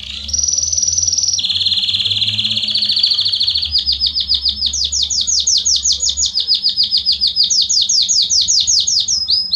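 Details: Belgian canary in loud sustained song to warm up other canaries: a high steady trill, a lower rolling trill, then long runs of fast rhythmic pulses that rise and fall in pitch.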